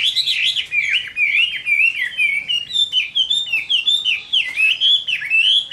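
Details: Summer-midday fighting song of a Chinese hwamei: a continuous, loud stream of rich, wavering whistles sliding up and down, each phrase flowing into the next with strong rhythmic pulses.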